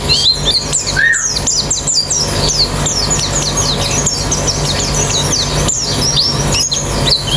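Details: White-eyes singing in a therapy track aimed at quick, open-beaked song: a stream of high, sharply descending chirps crowding together, with one lower slurred note early on and a continuous low hum.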